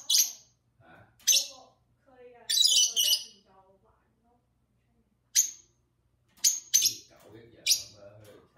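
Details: Pair of pet lovebirds chirping in conversation with a person: shrill, squeaky calls and a rasping burst alternate with low human speech, followed by a run of quick sharp peeps.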